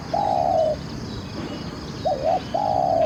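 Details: Spotted dove singing during a decoy session: a long, even coo, a quick double note, then another long, slightly falling coo, all clear over low background hiss.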